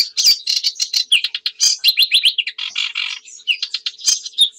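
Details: Sedge warbler singing a fast, jumbled stream of chattering notes, high chirps, short whistles and slurred phrases, with no pauses, on a quiet background.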